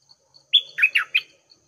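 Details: Red-whiskered bulbul singing as a decoy bird at 6 am to lure wild birds into a fight: a short, loud phrase of a clear whistled note followed by three quick, slurred chirps, with a quiet background.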